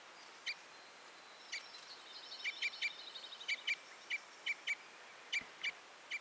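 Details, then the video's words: Red or Common Crossbill giving short, sharp chipping notes, scattered singly and in quick pairs over six seconds, with a faint thin high whistle running beneath part of the sequence; quiet background otherwise. "The sound of the Red/Common Crossbill"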